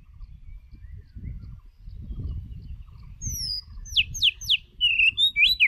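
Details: White-rumped shama lure bird giving a quick series of very high, thin down-slurred whistles in the last two seconds, preceded by quiet low rumbling.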